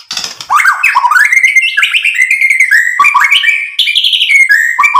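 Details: Unbroken white-rumped shama song intended to excite other birds into answering, fluid whistled phrases sliding up and down in rapid succession, loud and close.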